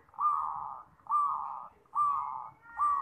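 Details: Perkutut (zebra dove) song, presented as a champion bird's best voice for training young birds: four drawn-out mellow cooing phrases, each opening with a sharp accent then holding steady, repeated roughly every 0.9 seconds.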